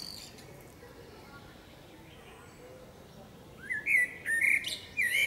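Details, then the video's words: Common blackbird, a female, in a forest: several seconds of near silence, then a rising fluty whistled phrase with wavering notes and a thin high twitter at the end. "Dźwięk śpiewu kosa. Samica kosa śpiewa. Kos śpiewa w lesie. sounds and singing of the blackbird"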